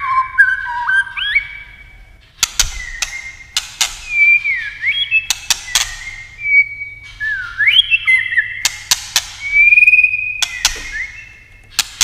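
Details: White-rumped shama singing in competition style: varied slurred whistles that swoop up and down, broken by sharp dry clicks, with short pauses between phrases.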